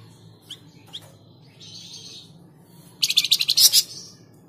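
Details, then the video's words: Flamboyan bird song in the tledekan jati style, used to prompt caged birds to sing; faint high chirps early, then a loud fast burst of buzzy, high-pitched repeated notes lasting under a second over a low steady hum. "Pancingan Burung Flamboyan | Tledekan Jati"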